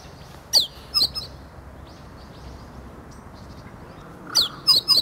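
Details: Meadow bunting rehearsing, its calls turning into proper song, filmed 8 March 2011 while relaxed nearby; two high down-slurred notes, a long pause with faint distant chirps, then a quick cluster of three sharp notes.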